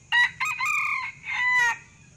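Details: Wild male Sumatran red junglefowl gives a brief, clipped crow of three harsh, ringing bursts in under two seconds, the last cut off abruptly, in a quiet background; used as a lure call.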